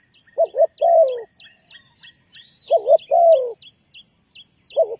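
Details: Spotted dove calling to lure wild doves into a trap, Ninh Thuận: wavering double coo followed by a long, descending, husky croo, repeated about every two seconds, while a small bird chirps steadily above.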